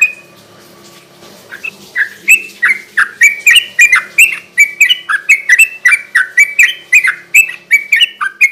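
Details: Sooty-headed bulbul in loud 'gacor garuda ropel' style song, used as a night-time lure and training sound for captive birds. After a quiet start come rapid, bubbly, slurred phrases of two or three notes, repeated about every third of a second, with a faint low hum beneath.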